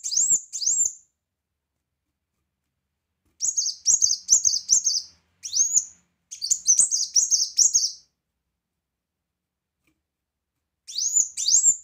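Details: Brown-throated sunbird singing actively in loud 'tembakan' bursts used as a tutor recording: sharp high whistled notes, each swooping upward, in quick runs of three to five separated by silent gaps.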